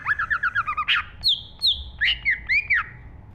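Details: Green leafbird, known locally as cucak ijo, singing energetically: a fast string of short whistled notes, then longer ringing slurs and rising-falling whistles. Low rumbling noise throughout.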